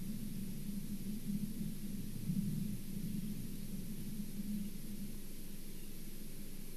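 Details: Steady low rumble and hiss, like distant traffic or wind noise, with no animal calls.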